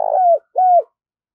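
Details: Spotted dove kept as a decoy bird, cooing to call in wild doves. Two smooth, level coo notes of similar length, each sliding slightly down at its end, separated by a brief pause, then silence.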